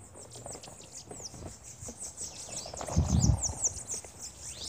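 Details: Bananaquits, several birds at a feeder, give thin, high, sharply arched chirps in quick, overlapping bursts, with soft low thumps and rustling from the feeder in between.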